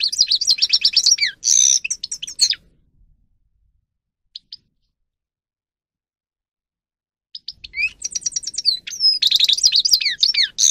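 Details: Training song of a grey-crowned goldfinch: fast, high, tinkling twitters and buzzy trills lasting about two seconds, then near silence with two tiny chips, before another rapid, liquid phrase resumes.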